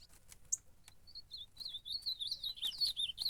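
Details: Ultramarine grosbeak (azulão) fighting during a campeada contest: scattered clicks and short whistles build into a fast, dense string of warbled, looping high notes.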